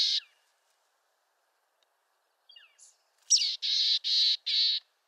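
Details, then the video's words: Mountain chickadee in western North America: a short high note, a few faint chips, then a run of four harsh, buzzy notes repeated evenly, each about a quarter second long, in a quiet setting. "Mountain Chickadee Bird Song"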